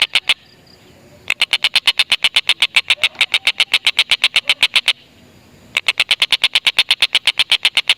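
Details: Long rapid chatter of a tengkek buto, an Indonesian native bird, used to entice lovebirds to call; bursts of quick sharp notes separated by brief silences, then resuming at the same fast pace.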